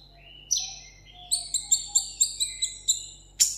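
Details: Tabletop caged sunbird from Vietnam singing a solo contest song: a falling high whistle, then a steady run of about eight crisp high chirps, ending in a sharp click-like note.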